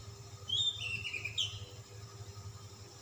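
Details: Calm-type Oriental magpie-robin (kacer) singing persistently in display with luxurious fill. A single high whistled phrase, wavering and slurred, lasts about a second over a steady low background hum.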